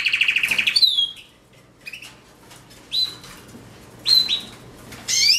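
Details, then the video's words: Canary singing: an opening rapid trill, then separate sharp whistled notes and short slurred phrases with brief silent gaps, ending in a bright rising whistle. There is no other clear sound. "Canaries - Canary - Song - Singing"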